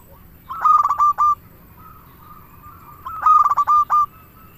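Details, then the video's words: Local zebra dove in song, meant to lure doves and stir them to sing: two loud, rapid, rattling coo phrases about three seconds apart, with a faint hum between them. "Perkutut lokal gacor suara paling ampuh untuk pancingan burung perkutut agar bunyi"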